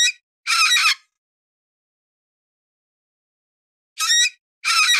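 Cockatoo giving harsh, grating squawks: two rasping bursts, a long pause, then two more, each about half a second long. No other sounds.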